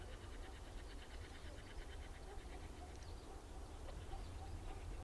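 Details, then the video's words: Feeding on a dead monkey in an Indian forest in Uttarakhand, yellow-billed blue magpies make a fast, buzzy chattering run of rich harmonic notes for about three seconds, then looser scattered calls over low rumble. "Yellow Billed Blue Magpie birds in Uttarakhand forest. Bird sounds."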